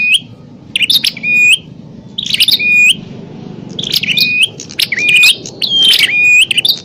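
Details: Bar-winged prinias fighting, sound meant to lure wild prinias: scattered bursts of piercing chirps, each ending in a steady whistled note, over a soft low hum.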